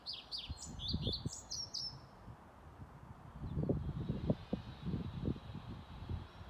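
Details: European pied flycatcher singing in full on 15 May 2019 at a Sundsvall retirement home: two seconds of high, quick falling whistles, then the song stops and loud low rumbling and knocking noise takes over.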